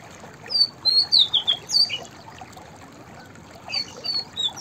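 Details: High whistled phrase of a white-browed fantail, six or so slurred notes falling in pitch. A softer, shorter echo of the phrase follows a second later over a low hiss.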